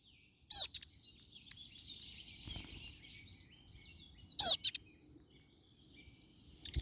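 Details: European crested tit song: two loud, very high, sharply descending bursts of notes about four seconds apart, above steady faint high twittering from other birds and low rustling noise.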